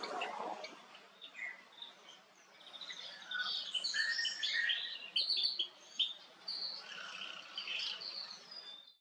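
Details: A male cut-throat finch gives a busy run of high, buzzy chirps and gurgling notes, roughly one to two a second, with faint background hiss.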